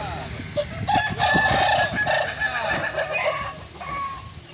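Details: During joint training in Ampang Kualo, Solok city, a Kukuak Balenggek chicken gives bright, wavering crow notes in quick succession that fade toward the end, with low background rumble and voices.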